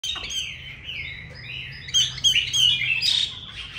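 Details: Chinese hwamei, a kept bird filmed at home in Hanoi, Vietnam, praised for its fine voice, sings loud, varied whistled phrases with rapid slurred up-and-down notes that grow stronger in the second half; faint low room hum beneath.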